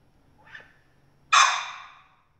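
An Arabian partridge gives one loud, harsh, grating note that fades over about a second, after a soft shorter note; otherwise quiet.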